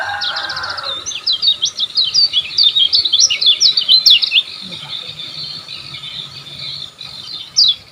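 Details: Olive-backed sunbird song, recorded to train caged birds: a fast run of high, thin zigzagging twitters, densely packed for about three seconds, then fading into faint scattered notes with one final sharp chirp.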